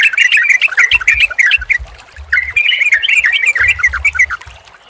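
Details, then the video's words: Yellow-vented bulbul chatter meant to relax and stimulate a silent bird: two long bubbly runs of quick warbled notes separated by a short lull, with faint low knocks. "SUARA TRUCUKAN KOMBINASI YANG JITU UNTUK TERAPI TRUCUK MACET BUNYI DAN STRESS, PANCINGAN RELAKSASI."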